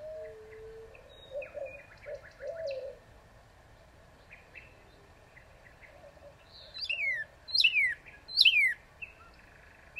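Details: Northern cardinal giving three loud, steeply down-slurred whistles near the end, after scattered quieter chirps and low whistled notes from other birds.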